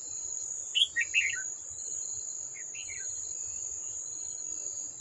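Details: Old wild red-whiskered bulbul drawn to fight a trap's decoy bird, 18 July 2024; two clusters of sharp, warbling chirps a couple of seconds apart, set against a constant high-pitched insect chorus.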